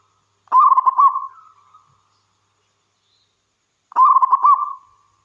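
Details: A local wild zebra dove (perkutut), recorded as a lure to prompt other doves to sing, gives two phrases of soft, rapid, stuttering coos, each about a second long and fading, roughly three seconds apart.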